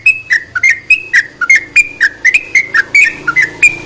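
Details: Sooty-headed bulbul song used to stimulate reluctant bulbuls to sing: loud, clear whistled notes around a steady pitch, alternating slightly higher and lower, delivered rapidly about four per second with short gaps between them.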